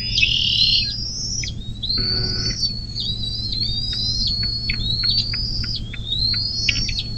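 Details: Bald eagle calling at its nest by the Little Miami River near South Lebanon, southwest Ohio, USA, recorded by nest camera on 24 May 2024 around 10:12; a run of high, thin chirping whistles, slurred and descending, over a steady low hum.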